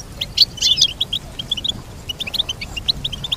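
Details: Goldfinch singing a brisk run of short, high tinkling chirps, a denser flurry early on, then evenly spaced twittering notes over faint low rumble.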